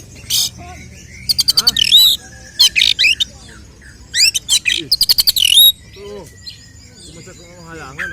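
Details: Oriental magpie-robin in fighting song to provoke other males: repeated bursts of rapid clicking notes ending in swooped whistles, followed by softer, lower twittering toward the end.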